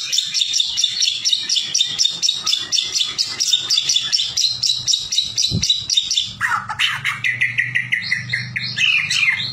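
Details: A captive White-rumped shama, used as a lure song to make other shamas sing, gives a fast, scratchy chatter of high notes for several seconds, then rich, varied whistled phrases; a faint low hum runs underneath.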